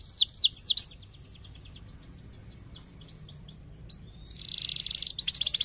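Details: Canary song for stimulating other canaries: forked chirps and sweeping trill notes, softer steady chirping, then a loud buzzy rattle with rapid high notes.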